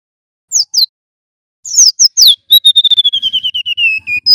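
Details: Singing male golden-bellied gerygone: two sharp, high downslurred chirps, a pause, a cluster of quick falling chirps, then a rapid chain of pure whistled notes that steps steadily lower in pitch.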